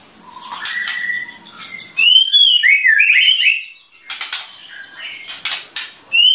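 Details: White-rumped shama in full song, its shots said to rile other birds: a quick warbled cluster of rich, looping whistles, framed by loud clicks and rattles before and after.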